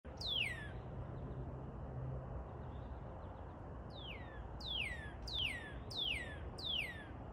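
A northern cardinal sings loud, clear whistles that slur sharply downward, one early and then five in a steady run about every 0.7 seconds, over a low background rumble.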